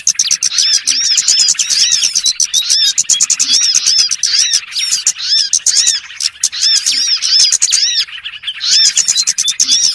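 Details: Lure call used for trapping small birds: a dense, continuous mass of high, thin chirps and arched twittering notes from many overlapping voices, rapid and unbroken across the whole stretch.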